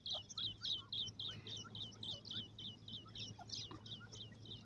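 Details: Iranian partridge (teetar) chicks playing and feeding: a rapid run of high, thin peeping notes, about three or four a second, fairly steady, with faint lower chirps and a low background hum.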